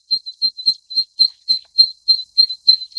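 A zitting cisticola gives sharp, high 'zit' notes, about three every second in a steady series, with no other sounds.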